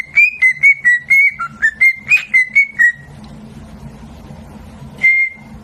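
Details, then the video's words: Talking parrot kept as a pet gives a quick series of bright whistled notes, some dipping and rising, about ten in under three seconds, then a pause and one more long whistle. "Smart talking parrot"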